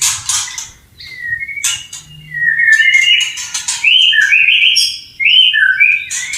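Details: Wild white-rumped shama near running water sings long, clear, sliding whistled notes at varying pitches, interrupted at the start and midway by bursts of harsh, hissy sound.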